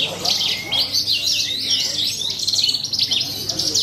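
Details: Australasian bush lark singing during a bird-singing competition, a bright high song of quick, looping whistled phrases and twittering notes, nearly continuous, with faint background noise.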